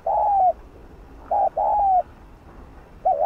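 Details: Decoy spotted dove cooing to stimulate other doves to coo: low, mellow coos, each a brief wavering note running into a longer, gently falling one, with phrases recurring about every second and a half over a quiet hiss.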